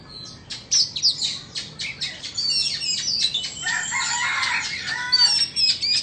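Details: Dueling Oriental magpie-robins, Vietnamese and Indonesian, open with a series of harsh, clicking rasps, then swell into continuous warbled whistles and trills that overlap to the end.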